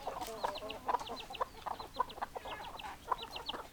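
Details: Hens clucking in a busy chorus, short repeated clucks with some sharper accented notes roughly every half second, and thin high chirps scattered over the top.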